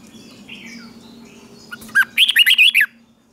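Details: A red-whiskered bulbul's morning practice song for singing contests: faint background birdsong, then a sudden string of about six quick, looping, fluty notes in one bright phrase.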